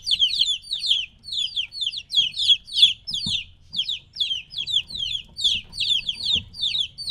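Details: Three-week-old chicks separated from the mother, peeping insistently: repeated pairs and clusters of shrill descending notes from several chicks, steady throughout, faint low noise beneath.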